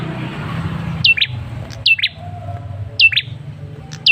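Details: Male ashy tailorbird giving lure calls: quick pairs of high, steeply dropping chirps, about four in just over four seconds, over a background hum.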